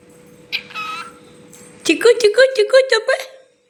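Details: Pet cockatiel named Chikku, which talks back when spoken to, imitates human speech, rattling off a quick run of repeated word-like syllables, "tickle tickle tickle".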